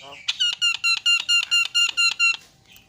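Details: Fast-singing Javan myna, meant to make other mynas chatty: a quick, even string of about ten ringing, bright notes in two seconds, each rich and nasal, after a brief slurred lead-in.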